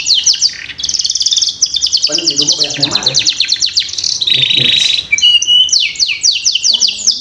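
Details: Caged canary lure song for encouraging juvenile canaries to sing soon: dense high trills and rolling phrases throughout, changing to a buzzy tone midway, with some low background noise.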